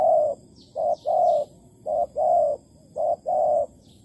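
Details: Decoy spotted dove from Malaysia at a trapping site, 11 August 2020, cooing steadily: clipped note pairs leading into long, hollow purring coos, repeated about every second, with a few thin, high bird chirps behind.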